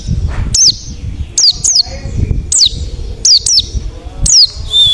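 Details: Wild forest white-eye calling to lure other white-eyes into answering: sharp, high chirps that drop steeply in pitch, given singly or in pairs every half second to a second, over low background noise.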